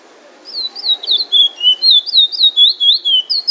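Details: Chestnut-bellied seed-finch, known as bullfinch, singing drawl and wheet drawl in Trinidad: a fluent string of high, pure whistled notes, mostly falling slurs with occasional quick rising twists, repeated about four times a second.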